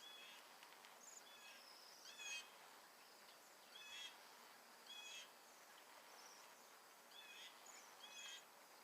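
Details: About a hundred Bohemian Waxwings feeding on mountain ash berries in Alberta during winter migration from the Arctic; high, thin, lisping trills sound every second or so from several birds at once, some nearer and louder, over quiet outdoor hiss.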